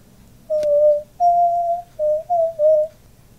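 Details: A male pet diamond dove, which puffs up when cooing, gives five soft, pure, mid-pitched coo notes over three seconds, the second long and drawn out, with one sharp click near the start.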